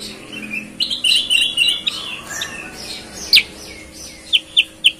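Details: A sooty-headed bulbul, noted for its clear singing that resembles a green leafbird, gives a rippling warbled phrase followed by a loud sharp chirp and three evenly spaced crisp notes, with a constant low hum behind.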